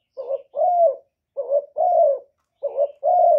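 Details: Decoy spotted dove from Cà Mau, Vietnam, calling to attract wild doves: three two-part coo phrases, each a brief wobbling note followed by a longer, gently falling hollow coo, spaced about a second apart.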